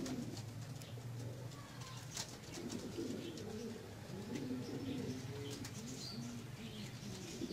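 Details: Pomeranian pouter pigeons, a fancy domestic breed, produce continuous deep, rolling coos from several birds at once, layered with soft rustling and occasional sharp clicks.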